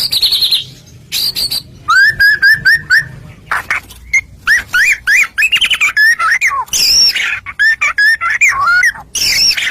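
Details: Murai batu, the white-rumped shama, in energetic lure song meant to provoke other shamas into singing: rapid repeated whistled notes, buzzy bursts and looping slurred phrases in quick succession, loud and close.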